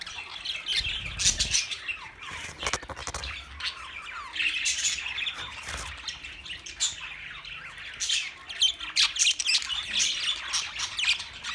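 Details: A busy group of budgerigars keeps up steady warbling chatter: many quick squeaks, chirps and buzzy notes overlapping for the whole stretch, with some louder bursts and a few low thumps.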